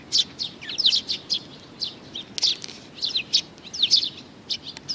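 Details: Busy chatter of sparrows that come to be fed, 15 May 2019: dense, overlapping high chirps and tweets, often in rapid clusters of two or three, filling five seconds almost without pause.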